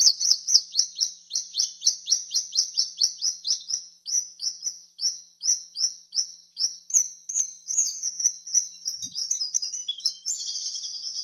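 Swallow giving a fast series of high, sharp chirps, about two each second, that quicken into a breathless twittering run near the end.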